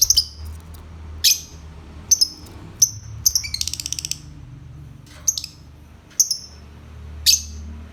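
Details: Lovebird calling with repeated sharp, high chirps roughly once a second, including a rapid buzzy rattle of fast notes midway, against a faint low hum.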